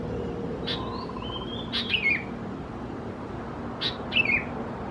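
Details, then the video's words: Fledgling sooty-headed bulbuls, subspecies thais, at Khao Yoi, Phetchaburi, Thailand, June 2020: thin level whistles and sharp clicks leading into quick descending chirps, two bursts, against quiet background hiss. "นกปรอดหัวสีเขม่าวัยอ่อน Sooty-headed Bulbul chicks"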